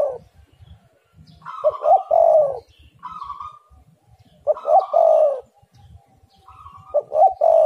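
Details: Repeated spotted dove song for luring other doves to call: three throaty, rolling coo phrases about every two and a half seconds, each preceded by softer hooting, with low background rumble.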